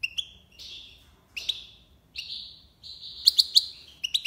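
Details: European goldfinch, Algiers, singing tiwawati style: a series of drawn, slightly buzzy notes, each held about half a second with short gaps, ending in quick sharp chips.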